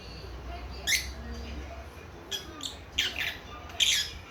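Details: Young lovebird chicks a few months old, conversing: a few scattered sharp, high chirps, one early and a cluster near the end, over a faint low room hum.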